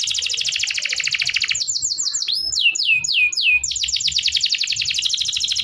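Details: Canary in full, long 'gacor' song of the 'cuit cuit emosi' style, used as a lure for young canaries learning to sing: fast buzzy high trills, then a run of swooping down-slurred whistles, then rapid trills again.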